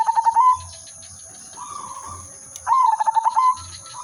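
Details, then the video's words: Silver udanmas zebra dove in full melodious song, used to lure and trap wild doves: two quick stuttering coo bursts about two and a half seconds apart, each a chain of short pulses, over a constant high-pitched hum and soft low thudding. "burung perkutut/merbok silver udanmas gacor manggung irama merdu pancingan dan pikat"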